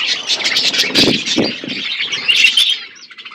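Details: Budgerigars feeding on seeds in a natural outdoor aviary, loud twittering chatter with wing flutters and low thumps, fading to quieter chirps at the end.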